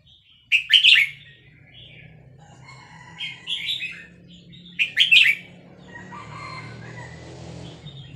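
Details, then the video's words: Vietnamese red-whiskered bulbul eagerly singing with a played recording of chicks in fast-linked style; three loud warbled phrases about two seconds apart, then softer twittering and low hum. "นกกรงหัวจุกเวียดนาม ต่อดอกเร็ว เปิดยั้วลูกนกฟักแล้วคึกร้องตาม"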